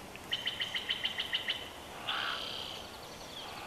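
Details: Chortle of a bald eagle on a Big Bear Valley nest cam, 12 June 2021: nine crisp, high, evenly repeated piping notes, followed by a longer strained, squealing note.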